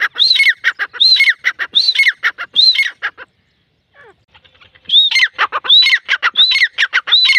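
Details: Grey francolin (teetar) calling: harsh, rhythmic repeated phrases, each an arched ringing note followed by rapid clipped notes, about four phrases, a short silence, then the series starts again.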